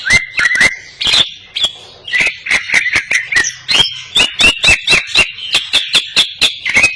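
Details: Greater green leafbird with raised crest singing vigorously, song filled with cililin phrases; steady string of loud clicks roughly three per second with short twittering whistles woven between them.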